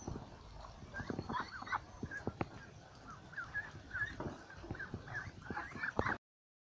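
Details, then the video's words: Ducks in a flock at a lakeside keep up rapid, nasal chatter of short bending calls, mixed with knocking sounds, before the recording cuts to silence near the end. "Con Vịt"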